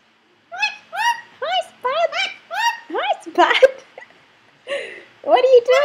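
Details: A three-year-old male Indian ringneck kept as a pet, recorded indoors by a computer camera, chatters in a rapid series of short rising-falling harmonic syllables, about two per second, while the owner talks to him.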